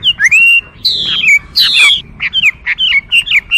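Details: Chinese hwamei delivering rich, loud whistled phrases with sliding notes and short, quick repeated syllables.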